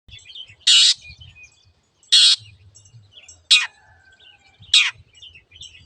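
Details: Long-tailed shrike recorded as a master track for training caged birds that have stopped singing: four loud, harsh rasping bursts spaced about 1.4 seconds apart, with faint thin whistles and soft low rumbles between them.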